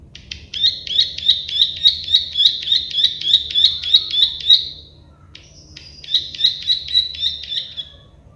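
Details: Plain prinia (prenjak sawah, klik-klik bird) singing a long run of buzzy clicking notes at about three per second for four seconds, a brief silence, then a shorter repeat of the same rattling phrase.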